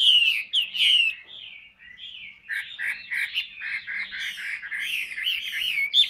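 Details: Singing caged hwamei, a big 'tam hoàng' bird noted for singing a lot. Clear whistled notes are followed by a dense, chattering stretch of quick warbled phrases, steady and loud, with a faint low hum behind.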